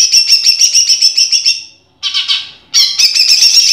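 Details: Caged greater green leafbird in a contest-training song recording featuring judge-favoured rapid bursts: a fast, even trill of high buzzy notes for about a second and a half, a brief pause, a short chattering phrase, then another high rapid trill.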